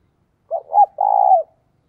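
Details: One clean coo phrase by a spotted dove decoy aimed at attracting wild doves, a pair of short soft notes leading into a drawn-out, level, low coo that falls away.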